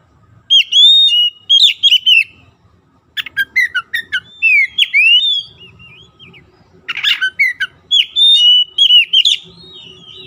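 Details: Oriental magpie-robin singing loudly in full voice. Rich whistled phrases with rising and falling slurs come in bursts separated by short pauses, and one harsher buzzy note sits in the middle. A faint low hum runs underneath.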